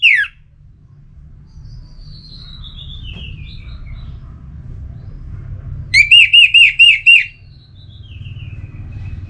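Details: Orange-headed thrush singing, a sound meant to rouse birds into song: an opening falling whistle, a long thin whistle slowly descending, then a fast run of about seven looping, rolling notes.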